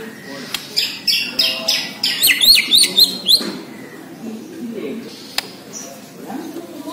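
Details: White-rumped shama, the Borneo murai, singing vigorously. A quick run of about ten sharp, high, clipped notes repeats several times a second, then drops into quieter background hum with faint scattered notes.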